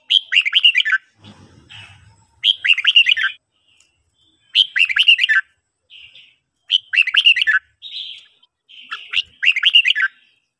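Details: Bulbul song training in the morning, from a red-whiskered bulbul: five cheerful warbled whistle phrases, roughly every two seconds, with short softer buzzy notes and a brief low rustle between them.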